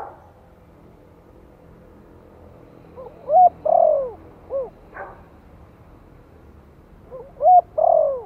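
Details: Spotted dove in the Thổ voice style, a gentle lure call for settling newly caught birds: after three quiet seconds, a low cooing phrase of a short note, a strong coo, a drawn-out falling coo and a closing note, then the start of another.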